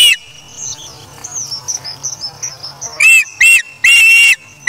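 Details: Osprey chick at a nest in Charlo on August 3, 2017, feeding itself after taking a fish from its parent: faint tones for three seconds, then loud piercing whistled calls in three bursts.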